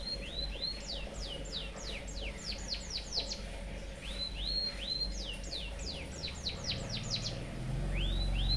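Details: Canary-style song from a white-headed munia, used for tutoring: two rising whistled upslurs open each phrase, then quick descending sweeps accelerate into a rattling trill. The pattern repeats twice more over a low background drone.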